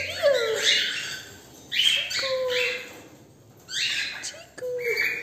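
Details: Cockatiel kept as a pet, calling during a woodpecker game with its owner. Bright, rasping chirps come in three groups, mixed with softer, lower whistled slides and faint voices.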